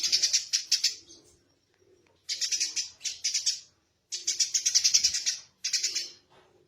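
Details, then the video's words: Tame, vocal Eurasian tree sparrow chirping in clusters: quick series of high, bright, scratchy chirps, three to six at a time, with short silent pauses between bursts. "Burung Gereja Gacor Jinak Tembakan Kasar"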